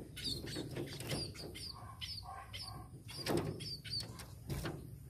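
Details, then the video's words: Tame munia giving short, high chirps scattered between loud rustling and wing-flapping noises, with a low background hum throughout. "BURUNG PIPIT"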